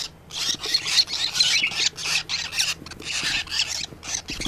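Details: Rosellas of assorted colour mutations give harsh, raspy squawks in quick bursts. The bursts repeat in uneven chattering runs with short silent gaps, over a steady low hum.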